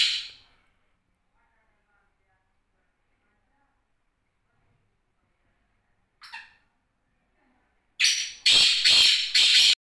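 Black francolin giving a few harsh, grating notes: a short rasp, a pause, then a loud burst of three scratchy, clipped phrases at the end.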